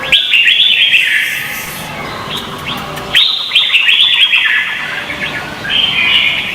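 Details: Red-whiskered bulbul contest singing from Vietnam, a lure recording for training birds: bright, warbled whistled phrases that rise and fall, in bursts of about one to two seconds with short gaps, possibly overlapping voices, faint background hiss.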